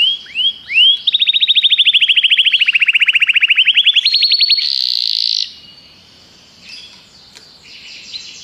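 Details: Common canary song: a few rising chirps, then a long rapid trill of repeated notes sweeping down and up, ending in a loud buzzy sustained note, followed by quieter twittering phrases.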